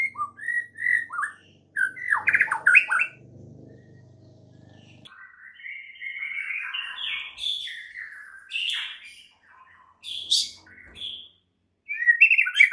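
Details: White-rumped shama morning song used to get other shamas singing; varied whistles and buzzy, scratchy phrases with a low hum in the background, followed by a long jumbled warbling passage.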